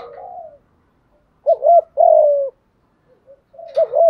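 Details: Spotted dove call used to lure wild doves: low mellow coos in phrases. A quick two-part wavering coo is followed by a long level-then-falling coo, with a short pause before the next phrase begins.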